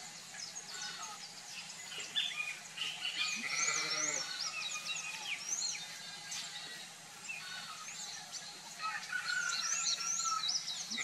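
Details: Sayaca tanager in a backyard giving thin, squeaky high chirps and twitters, a couple each second, overlapping with other bird calls in a busy background.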